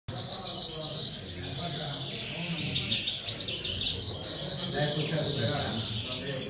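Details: Several common linnets in an aviary twittering together in a dense, continuous high chorus of rapid chirps and trills, with a low background rumble throughout.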